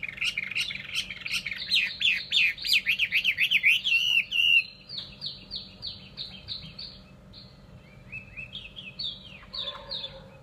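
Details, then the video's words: Chinese hwamei singing a fast, loud series of zigzag whistled trills, then a steady string of shorter falling whistles repeated rhythmically, fading to soft notes. "họa mi"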